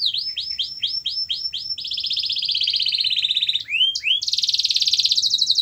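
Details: Canary song for getting a quiet canary to sing: a series of looping downslurred whistles, a long buzzy trill, quick rising notes and a bright fast trill at the end, over faint low background hum.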